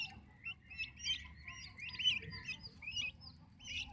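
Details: Healthy, active turkey chicks with their mother, a brood of young birds giving rapid high thin peeps, overlapping and irregular, under a steady low background rumble.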